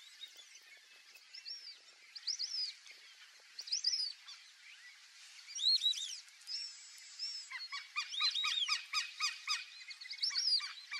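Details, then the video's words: Black-bellied whistling ducks (Dendrocygna autumnalis) by a lake give high, thin whistled notes, some rising and falling, in a busy overlapping chorus that thickens into rapid repeated whistles. "BLACK-BELLIED WHISTLING-DUCK (DENDROCYGNA AUTUMNALIS), MARRECA-CABOCLA"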